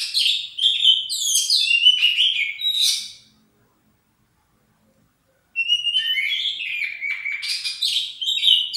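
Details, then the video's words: Warm-up singing from an Oriental magpie-robin, two bursts of rich, fast, high whistles and chattering trills with sweeping and scratchy notes, split by about two seconds of silence. "Kacer Jabrix 99 Pemanasan"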